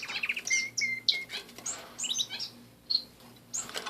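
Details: Pet canaries with soft twittering: thin level whistles and short high chirps, quiet and broken into small bursts, over a faint low electrical hum.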